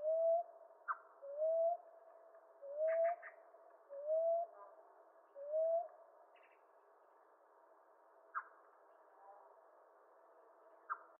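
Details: Common ground dove (Columbina passerina) from eastern North America giving five soft, low, upslurred coos spaced about a second apart, then falling quiet; brief higher chirps and clicks from other birds scattered through the recording.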